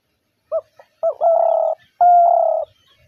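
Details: Spotted dove, its call described as the hunter's dove call: a few clipped introductory notes, then two drawn-out, even, low coos of about half a second each, with little else audible.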